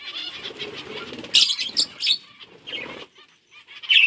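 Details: Budgerigars eating seeds on 30 October 2023 give busy, scratchy chirps and warbles in high bursts, with rustling and fluttering around them.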